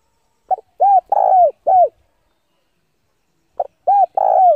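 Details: Spotted dove used as a decoy to draw rival doves to fight gives two phrases of deep, arched coos, a short pickup note, a hoot, a long rolling coo and a final hoot, with silence between.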